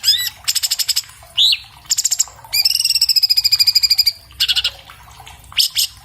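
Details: Orange-bellied leafbird (cucak cungkok) song recorded on an iPhone 7 Plus, played for training cage birds: rapid buzzy trills of repeated notes, a long sustained whistled note with a slight downward glide, and brief sharp rising-falling notes.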